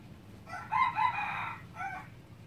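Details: A Lao red junglefowl gives a single crow: a strained, rising-and-held phrase of about one second, followed after a brief gap by a short, trailing final note over a low background hum.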